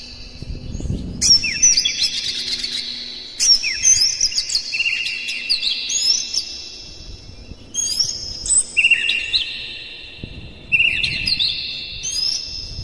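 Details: Oriental magpie-robin provocation song to stir rival magpie-robins: loud bursts of drawn-out whistles and sharp upward flicks, separated by quieter gaps with faint low noise.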